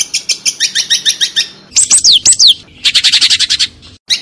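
A long-tailed shrike sings quick bursts of high chattering notes, then sharp falling whistles and a buzzy rattling series.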